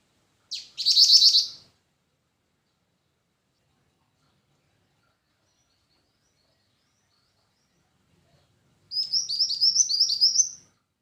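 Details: Black-winged flycatcher-shrike singing two separate high, thin trilled phrases, a short one first and a longer run of rapid notes about eight seconds later, with quiet between.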